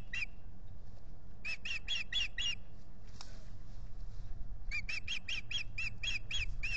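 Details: A wild osprey pair at their nest at Salt Point, 19 April 2021, in the courting and nest-building season. One chirp, then two bursts of short, clear, whistled chirps, about five and eight notes each. Steady low rumble underneath.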